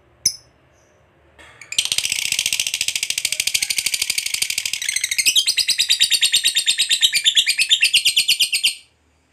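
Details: Lovebird giving a long ngekek trill, played to coax silent lovebirds into singing: after a short chirp, a dense high buzzy rattle of rapid repeated notes runs about seven seconds, shifting pitch slightly midway before stopping abruptly.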